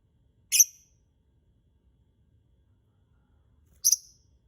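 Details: Lovebird sound used as a lure to prompt other lovebirds to sing: two short, sharp, high-pitched shrieks about three seconds apart, with silence between.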